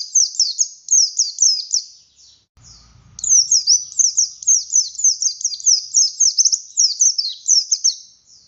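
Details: Oriental white-eye of the buxtoni form, a lively singer used to stir other white-eyes: rapid high twittering phrases of descending slurred notes in fast runs, pausing briefly mid-way before resuming.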